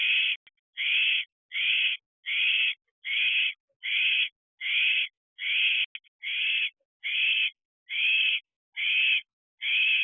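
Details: Excited young owl in an owl box near midnight, 11 July 2023, dispersal season at 14 weeks of age: a long, regular series of breathy, noisy screech-hisses, about thirteen in ten seconds, with a faint click between some.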